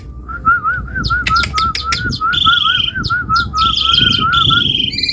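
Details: Asian pied starling singing in gacor style, vigorous non-stop song: a run of quavering, wavering notes at steady mid pitch, overlaid by sharp clicks and bursts of harsh, buzzy higher phrases, with a low rumbling background.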